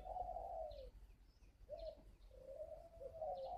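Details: Spotted dove, a wild-caught caged bird described as of strong decoy quality, in northern Vietnam: long, husky coos sliding downward, the last phrase broken into pulses, with faint high chirps of other birds behind.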